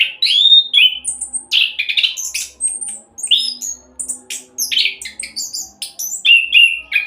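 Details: Indonesian orange-headed thrush in fast 'roll' song, meant as a lure to make other birds sing: quick bursts of varied whistles, buzzy chirps and rising and falling notes, several per second, with a faint low hum underneath.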